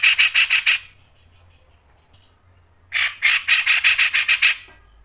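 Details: Grey-cheeked bulbul (cucak jenggot) in full song for a masteran tutor recording, delivering two bursts of about six loud, evenly spaced harsh chattering notes, separated by roughly two seconds of quiet with faint low hum.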